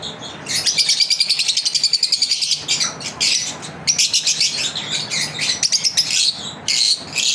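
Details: Lovebirds kept as pets, part of a daily routine, chirping in dense high-pitched bursts, rapid rhythmic trills in the first seconds followed by shriller chatter, with a low steady hum underneath.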